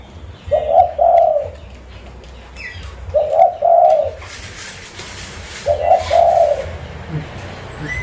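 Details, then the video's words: Zebra dove kept as a decoy in Busu Reului, Aceh, Indonesia, uttering three rolling, bubbly double coos spaced about two and a half seconds apart, with a burst of hissing noise midway and low hum throughout. "Burung Perkutut Lokal Pemikat Suara"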